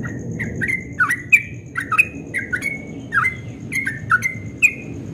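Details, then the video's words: Dawn ropel song from a Yellow-vented bulbul, reported as very melodious: clear, slurred whistles with sharp upward and downward flicks, roughly two notes a second, over a faint steady high whine. "Trucukan Ropel Subuh suaranya merdu sekali"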